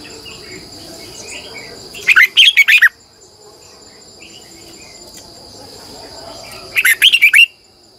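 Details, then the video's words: Red-whiskered bulbul singing in the morning as a decoy bird: two short bursts of quick, bubbly warbled notes about five seconds apart, over a faint, steady high whine. "Luyện chào mào hót sáng 2020, Giọng kép xoắn dài hót căng, Chào mào mồi gọi bổi hót hay"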